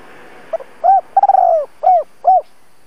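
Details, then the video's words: Spotted dove decoy for trapping, double-voice style: a quick grunt, a mellow coo, a halting long coo and two closing coos, over a soft steady hiss. "Cu gáy mồi Giọng Đôi gáy gọi kích bổi nhanh gù"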